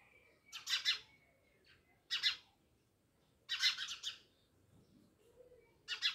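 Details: House sparrows near a village house in Jamnagar chirp in rough, buzzy groups of two or three notes, with a faint whistled note between bursts.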